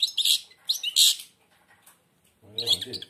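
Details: European goldfinch, blind and caged, sings through an almost closed beak: loud bursts of high, rapid twitters, then a man speaking briefly over the final phrase.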